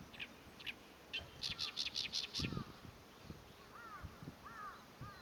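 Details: Oriental reed warbler proclaiming its territory on 23 April 2024: scattered harsh notes, then a fast run of about six grating, rasping syllables, followed by softer arched whistles from another bird.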